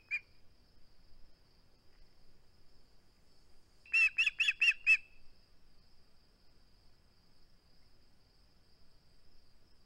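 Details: Osprey protecting its flounder at the nest, live-camera recording from 21 August 2020: one isolated whistled note, a long pause, then a tight burst of five shrill chirps, then silence.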